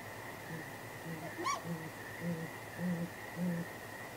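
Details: Pair of great grey owls at the nest at night, 23 April 2019, giving contact hoots with possible mating; low muffled hoots in an uneven series, about six, plus a single sharper rising-then-falling call near the start, steady hum behind.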